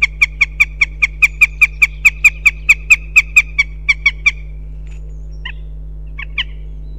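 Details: Goshawks at a nest in Riga, Latvia, during a day of calls and mating: a loud, sharp, evenly spaced kek-kek series of about twenty notes at five per second, then a few scattered softer notes, over a low steady hum.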